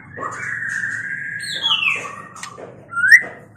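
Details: Mating song of a white-rumped shama: a sustained steady whistle, then a higher descending slur, a lower held note and a final quick upward-flicked whistle, with a soft low hum beneath.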